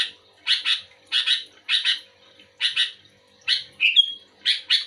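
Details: Sooty-headed bulbul (kutilang) actively answering another bulbul. Paired harsh chirps recur roughly every half second to second. Near the end comes a thin, pure whistled note that rises, then more chirps.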